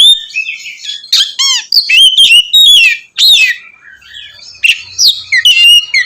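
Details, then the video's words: Oriental magpie-robin sings loudly to stir other magpie-robins; varied slurred whistles, squeaks and scratchy notes, with softer passages between louder bursts and a faint low hum. "kacer ngeplong gacor mancing emosi kacer lain"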